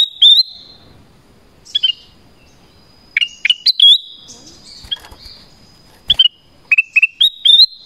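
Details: Chattering Black-crested bulbul calling to wild birds: clusters of bright, slurred whistled notes, each phrase ending on a higher rising note, separated by short pauses in a quiet background.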